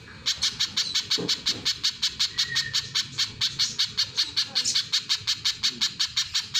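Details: Little spiderhunter repeating one sharp high chip many times in quick succession, the notes slightly uneven in spacing, over a low hum.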